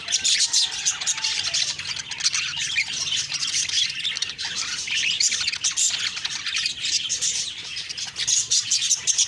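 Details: A flock of budgies in the morning keeps up a loud, unbroken stream of shrill chirps, clicks and warbled chatter, with sharp notes popping out throughout.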